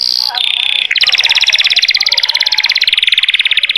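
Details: Canary singing in a richly filled Mastran style: a brief high whistled note, then a long fast rattling roll of high repeated syllables, very rapid and even, continuing to the end.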